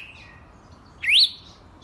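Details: A wild red-cowled cardinal utters one clear, upslurred whistle that rises quickly and tails off at the top, brief and prominent over low, even background hiss.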